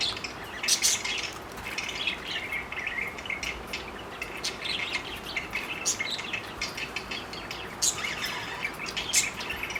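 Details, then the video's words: Several parakeets flirting keep up busy chattering, with overlapping high chirps and scratchy squawks in irregular clusters, set against constant background noise. "parakeet sounds of flirting"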